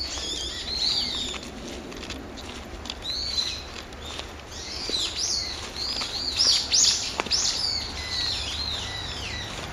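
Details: Brown-eared bulbul calling in the morning on 26 November, an everyday greeting: sharp, high, downslurred squeaky notes given in quick irregular bursts, several per second at times, over a steady low background rumble.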